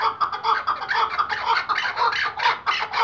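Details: Iraqi white-banded hunting partridge, a chukar, calling excitedly: loud, grating clucks in quick uneven bursts, some notes swelling brighter and longer near the end.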